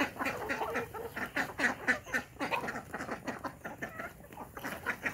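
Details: Village desi chickens on a farm with natural hatching, in the morning: a dense chorus of rapid clucks and short calls, many birds overlapping, with faint high chick peeps.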